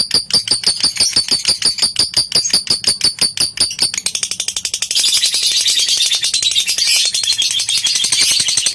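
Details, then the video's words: Lovebird ngekek, a chattering song played to goad rivals into singing: first a string of sharp, clicky pulses about three a second, then after four seconds a denser, continuous buzzy high-pitched chatter. "Suara Masteran Lovebird Memancing ngekek lawannya"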